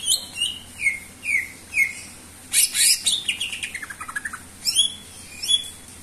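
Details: Greater green leafbird singing steadily, meant as a lure for other birds. Several falling whistled slurs lead into a shrill, scratchy rush, then a fast string of descending chips and two rising whistles.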